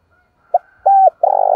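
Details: A spotted dove, cooing to incite fighting and attract wild birds, starts a phrase: a short note, then a steady coo, then a loud, rough, pulsed coo that is cut off abruptly.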